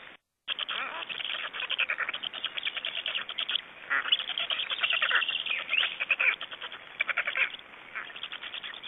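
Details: Black storks feeding at a nest in Estonia, 26 May 2012: after a brief dropout, loud nonstop rattling and rasping pulses build into an excited chatter that continues throughout.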